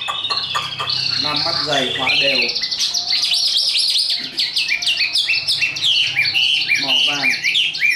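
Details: Caged, hand-tamed Chinese hwamei kept as a fighting-contest bird, singing high: loud, rich stream of slurred whistles and quick warbled phrases, with falling notes and rapid repeated syllables throughout.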